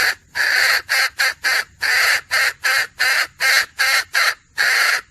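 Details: A string of about fourteen loud, harsh, rasping clucks at an uneven quick pace from a female red junglefowl, a recording used to lure birds for hunting.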